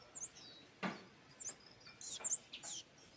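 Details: A scarlet-backed flowerpecker gives thin, high, sharp chirps and short buzzy notes, scattered irregularly over a few seconds with faint background hiss, in a recording used as a lure call.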